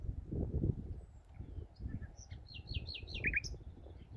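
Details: Common nightingale singing unseen on Wednesday evening 24 April 2019 in dunes at Bergen/Schoorl, Holland, in spring: a quick run of five or six repeated slurred high notes, then a lower pair, over steady low wind rumble.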